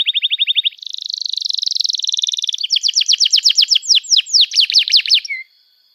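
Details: Canary singing, offered as a lure for young birds learning to sing: a quick trill gives way to a dense buzzy roll, then a run of sharp repeated chirps rising and falling, ending abruptly.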